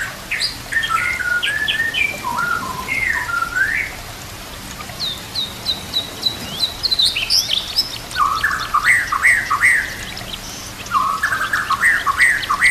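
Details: White-rumped shama song with nature sounds and trickling water, used to train shamas to sing: twisting whistled phrases, a pause, then high sweeps and repeated rising-falling notes in quick bursts.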